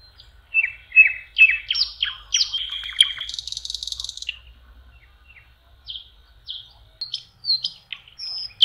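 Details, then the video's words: Common nightingale by the water in spring, May: a run of loud falling whistles and a buzzy rattle, followed by scattered thin high whistles and short notes after a pause. "Соловьи. Волшебное пение в мае. Nightingale singing"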